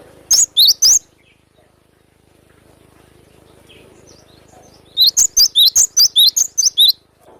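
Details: Wild cinereous tit in full, sharp burst song: three piercing high whistled notes, a long quiet stretch, then a rapid string of about ten clipped, up-and-down whistles close together, loud and clear against a low hum.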